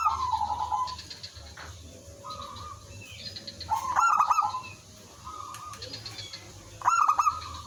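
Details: Local zebra dove (merbok kampung) in full song, used as a decoy to call in other doves that reply. Repeated staccato cooing trills, each about a second long, come in bursts with louder rattling phrases, over a constant low background hum.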